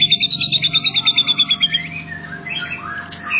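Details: White-rumped shama, a loud-voiced champion competition bird, delivering a fast run of about seventeen sharp, high chipping notes in under two seconds, then shifting into varied, lower slurred and warbled phrases.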